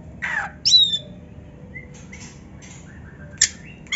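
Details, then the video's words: Oriental magpie-robin (kacer), played as therapy to make a silent bird sing and raise its breeding drive: a harsh rasping note, then bright whistled phrases and short sweet notes, a sharp squawk near the end, over a faint low hum. "TERAPI KACER GACOR DONGKRAK BIRAHI DAN EMOSI BUAT KACER MALAS BUNYI"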